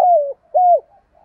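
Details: Spotted dove used as a decoy, calling to lure wild doves: two low cooing notes, each a steady tone that dips slightly at the end, about half a second apart, in a quiet setting.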